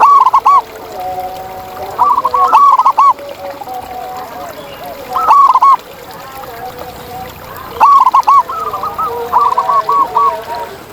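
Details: Wild zebra dove in nature sings short runs of rapid, rolling coos. Some phrases come singly and others in longer chains, with fainter doves cooing in between.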